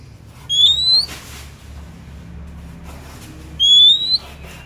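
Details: Kacer, or oriental magpie-robin, billed as singing nonstop. Two clear, bright whistles, each gliding steadily upward and lasting about half a second, separated by a long quiet gap with faint murmur.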